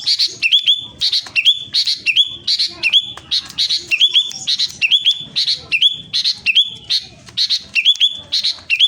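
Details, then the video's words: Captive sooty-headed bulbul (kutilang) from Klaten, Central Java, in loud, insistent gacor full-power song used to stir lazy birds: a bright phrase ending in a sliding whistled note, repeated roughly every half second. "Suara kutilang gacor ngotot pancingan kutilang malas Bunyi"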